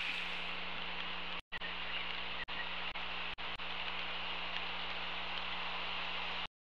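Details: Steady broadband hiss and a low electrical hum from a webcam stream, broken by several short dropouts to silence, with no animal voice.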